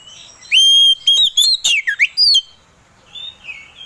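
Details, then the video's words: Oriental magpie-robin, played to provoke another bird into singing, gives a clear high sustained whistle followed by quick chirps and a falling slurred note, then softer twittering. "Suara Pancingan Kacer Agar Cepat Emosi Gacor"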